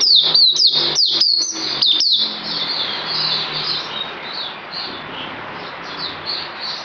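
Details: Songbird kept caged, recorded 9 December 2018, opens with a cluster of sharp downslurred whistles over about two seconds, followed by softer, blurred chirps with a faint low hum underneath.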